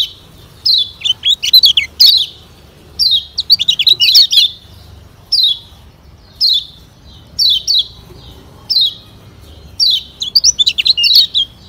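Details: Kecial kuning from Lombok, a yellow white-eye, in a lure recording: short bursts of high, twittering, downslurred notes, some phrases broken into rapid tumbling chirps, repeated in quick succession over a low background hum.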